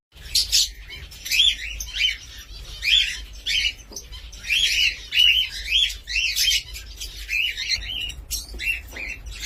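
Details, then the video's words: Cockatiel giving a steady series of short, clear whistled notes that rise and fall, grouped in quick bursts about every second over a quiet background. "COCKATİEL SOUND"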